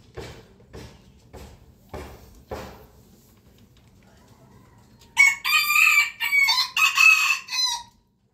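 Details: Rooster from a compilation of roosters crowing in the morning: five sharp, dull thumps spaced about half a second apart, a pause, then a high, strained crow broken into several segments lasting about three seconds.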